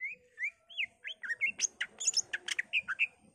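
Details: Greater green leafbird singing energetically, said to show off mimicked phrases of magpie-robin, laughingthrush, cililin, white-eye and canary; a rapid run of varied whistled and rising slurred notes, quickening into dense sharp chirps.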